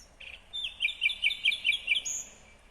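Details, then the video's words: Nightingale singing in Kyrgyzstan in 2020: a fast run of about eight loud, sharp, evenly spaced notes, preceded by a short whistled slur and ending with a thin high whistle. "Незабываемое Пение соловья / Chill out Nightingale Singing / Булбул уну / Булбул овози"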